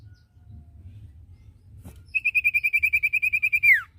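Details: Common iora tutor song for caged birds: a fast, steady trill of evenly spaced whistled notes lasting under two seconds, ending in one long note swooping steeply downward. A single click comes before it.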